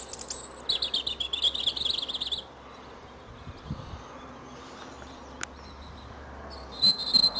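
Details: Male European robin singing his heart out in a hawthorn at Edgcumbe, Wendron, Cornwall, cold grey January morning: a bright, high, rapidly trilled warble lasting nearly two seconds, a pause, then another high phrase begins; soft low background noise.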